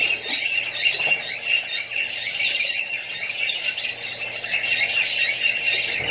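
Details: Flock of Australian budgies among other parrots and young birds: steady high-pitched twittering and scratchy squawks layered together, a busy unbroken chorus.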